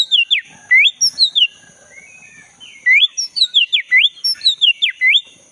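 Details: Oriental magpie-robin of the black-breasted form in full song, from a forest recording: two bursts of clear swooping whistles, each note dipping and rising sharply, separated by a quiet pause of about a second and a half.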